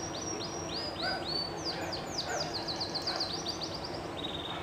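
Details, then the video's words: Llarguet Español canary singing live: a string of faint whistled notes, each sliding downward, then a quick rattling trill and a flatter held note, against a steady hiss of background noise. "EL MEJOR VIDEO DE CANTO DE CANARIO DE UNA RAZA MUY CONOCIDA Y DE LEYENDA llarguet español EN VIVO"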